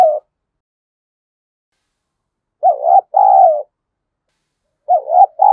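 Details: Luring call of a spotted dove aimed at wild doves. After a pause, a clear phrase of a quick double coo and a long hollow note. Another phrase starts at the end. No other sounds.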